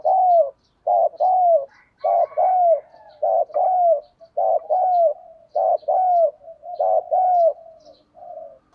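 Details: Decoy spotted dove cooing to draw wild doves into answering, 'thổ' voice style; a steady run of soft, low coos in paired phrases, about one a second, with faint tiny ticks in the background.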